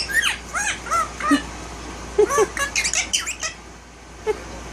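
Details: One-year-old violet male Indian ringneck parakeet kept as a pet, talking in a room: a string of short speech-like syllables with bent whistled tones, a burst of rapid chatter midway, and one last short note.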